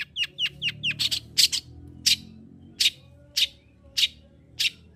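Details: Long-tailed shrike singing hard, used to spur a reluctant bird's breeding drive: a fast run of sharp downslurred whistles, then loud harsh rasping notes spaced roughly every half second, over a soft low rumble.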